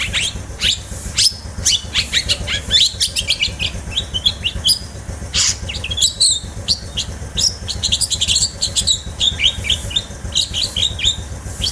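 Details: Pet long-tailed shrike, called cendet, kept by a child and singing; a fast, varied stream of sharp chirps, trills and high scratchy notes, almost continuous, with a low steady hum beneath.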